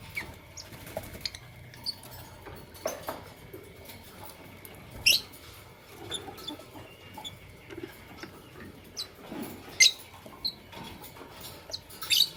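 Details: Fischer's and masked lovebirds in the morning giving sharp, high squeaky chirps spaced several seconds apart, with softer chatter between them and a low steady hum underneath.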